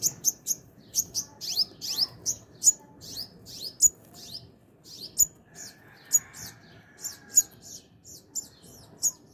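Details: Sunbird at its hanging nest while feeding and protecting its young: sharp, very high chips in quick clusters, about two to three bursts per second, with short pauses between runs, over a quiet background.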